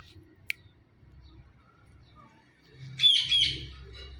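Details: Blue Indian ringneck parakeet, a talking pet parrot, gives two quick harsh, scratchy squawks back to back near the end, preceded by a single sharp click and a faint low background hum.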